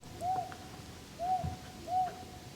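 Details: Owl at Bongseosan, Korea, on a cloudy day, giving three short, clear, mid-pitched hoots, each slightly arched, spaced under a second apart, over low rumbling background noise.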